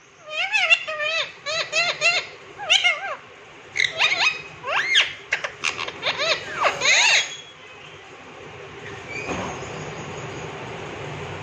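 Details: Caged green rose-ringed parakeet chattering its Hindi phrase "miya mithu" in a run of wavering, squeaky syllables for about eight seconds, then a noisy background hiss with a brief thump.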